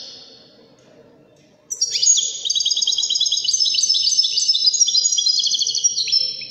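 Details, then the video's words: European goldfinch of Moroccan Wedani type: a faint tone fades, then an energetic, unbroken outpouring of high twittering and rapid repeated chirping notes lasting nearly five seconds. "تغريد و سيمفونية الحسون الويداني من المغرب الشقيقة"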